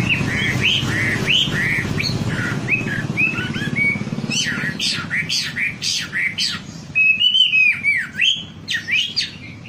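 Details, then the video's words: Lure recording of wambi singing: varied chirps and whistled phrases, then a rapid series of sharp, falling, squeaky notes repeated several times a second, over low background rumble. "Suara pancingan burung wambi agar cepat gacor"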